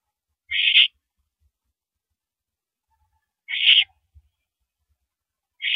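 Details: Mouse delivery at 9:17 PM, 13 April 2012: an owl gives short, rasping hiss-like screeches roughly every three seconds, three in all, over near silence with an occasional soft knock.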